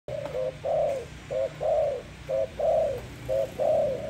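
Soft, low cooing from a Malay dove: a short note followed by a longer, slightly falling coo, repeated about once a second over a faint low hum.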